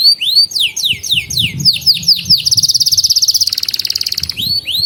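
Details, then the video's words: Canary singing in a recording meant to teach young canaries and rouse silent ones: repeated rising swooping whistles about every quarter second, then a long, rapid, pulsed high trill that drops into a lower rattle before the swoops resume. "Kenari GACOR Masteran Burung Kenari PAUD Belajar Bunyi dan Pancingan Kenari Macet"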